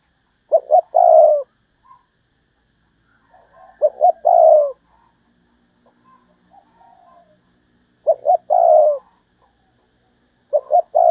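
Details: Decoy spotted dove calling in the Vietnamese 'thúc bổi' style, used to lure wild doves: a short stuttered lead-in then a low, rolling coo, repeated roughly every three and a half seconds in a quiet setting.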